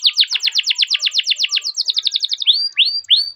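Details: Rolling canary training song: a rapid series of down-slurred chips, about eighteen in quick succession, speeding into a tighter run, then three clear rising whistles spaced apart.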